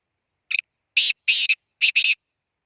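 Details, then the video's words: Black francolin (kala teetar) calling: a loud, harsh series of grating, broadband notes, a short single note followed by paired bursts of about a third of a second each, with clean silence between them. "kala teetar ki awaz"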